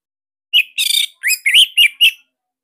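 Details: Orange-headed thrush of the Bali type singing loud, tight song for training cage birds: a short phrase of slurred whistles and one harsh buzzy note, about six notes in under two seconds.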